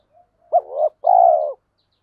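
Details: Spotted dove used as a decoy, its coo meant to stimulate other doves: a faint lead-in note, a short hooked coo, then a sustained throaty coo with a slight tremble, ending abruptly. Background silent.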